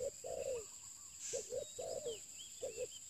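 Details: Close spotted dove in a luring context. It gives a short coo, then a longer drawn-out note sliding downward, and repeats the phrase. Faint bird twitters and a high electrical-sounding hum are present.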